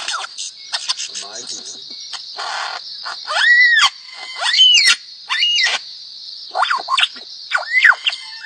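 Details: A lyrebird singing, described as a bird that sings twelve different tones: clear whistled notes that arch up and down, given in short separated phrases against a steady high background hiss.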